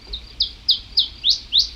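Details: Iberian chiffchaff song in Urdaibai in early May 2021: a run of thin, high chirpy notes, about three per second, ending in a quick falling "chi-chi-chi" sweep that distinguishes it from the common chiffchaff.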